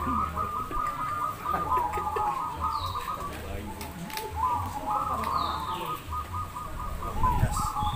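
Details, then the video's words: Perkutut, or zebra doves, competing in a Demak, Semarang singing contest. Continuous overlapping bursts of rapid, bubbling coos at a level pitch, with two thin, high, descending whistles and a low steady hum behind. "Lomba Perkutut"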